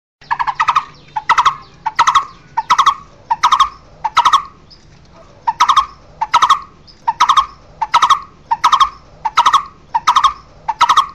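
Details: Barbet (cu rốc) calling its flock: hollow, tonal tuk notes in quick pairs and triplets, repeated steadily about every three quarters of a second, with a brief pause near the middle.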